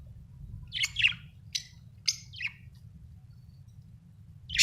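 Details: Budgerigar chirping, said to be happy: a handful of separate sharp, slightly scratchy chirps with short gaps between them, one louder chirp closing the sequence, steady low hum in the background.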